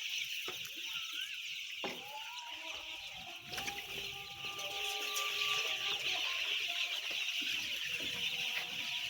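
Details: Roughly ten thousand white chicks peep together in a continuous high-pitched chorus of countless overlapping cheeps that swells slightly louder toward the end, with faint steady lower tones behind.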